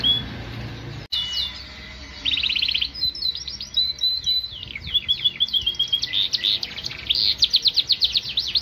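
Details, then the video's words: Yorkshire canary, a domestic breed, starting after a sharp click with a buzzy trill, then building into long, fast, rhythmic rolls of repeated high sweeping notes that grow steadily louder. "KENARI YORKSHIRE POSTUR MAKNYOS GACOR"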